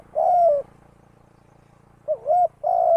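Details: Spotted dove serving as a decoy for trapping; the tail of a long coo, a pause with a low buzzing hum, then a wavy short note and the start of another sustained coo.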